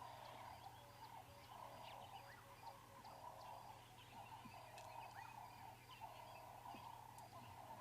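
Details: Doves cooing steadily at sunrise on an April safari drive in Africa, in repeated soft, mid-pitched phrases about every second, with scattered higher chirps from other birds and a low engine hum beneath.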